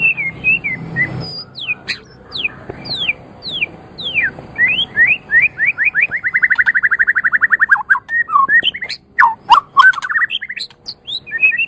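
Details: White-rumped shama singing, recorded as a master track for songbird training: clear descending whistled slurs, then a rapid buzzy trill of many quick notes, followed by varied upward and downward whistles.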